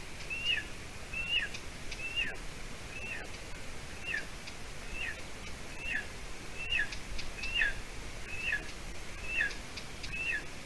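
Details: Eaglet of golden eagle at the nest in Latvia, 30 June 2020, 6:20 p.m., when its mother brought food; a long, even series of high two-part whistles, falling in pitch, about thirteen in ten seconds, fairly soft against steady hiss.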